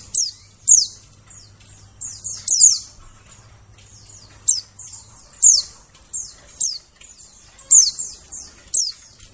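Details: White-eye lure call for attracting birds in the forest: thin, very high descending notes, each sliding sharply downward, given in quick irregular bursts of two or three, with a faint low hum behind.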